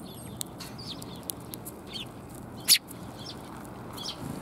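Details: Sparrows, including a bird without a tail, recorded on the way out on 17 January 2022. Brief high chirps sound throughout, with one loud sharp snap near the end. Muffled low background noise accompanies them.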